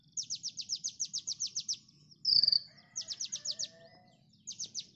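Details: Konin training recording: a fast string of high downslurred notes, a sudden loud piercing buzzy whistle, then further quick note series with a faint lower warble.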